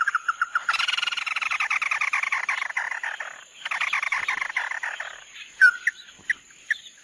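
A bird sings a fast, chattering trill of buzzy, rapidly repeated notes in two long bursts, with a thin steady high whine throughout.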